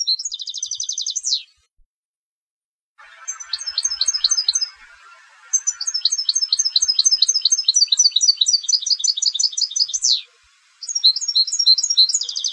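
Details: Contest goldfinch delivering long, high twittering strophes: fast repeated chirps, trills ending in falling sweeps, brief pauses between phrases, and a faint hiss behind one passage.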